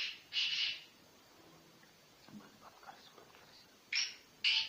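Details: Sindhi-breed black francolin from Sanghar district, Sindh: a harsh, raspy burst opens, a long quiet stretch with faint low noises follows, then two more short grating notes close it.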